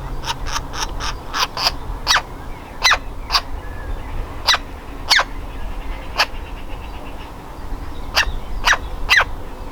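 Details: Baby woodpecker ready to leave the nest, trying to get out of its nest hole: sharp, harsh calls in quick bursts, then spaced about a second apart, over a steady background hum.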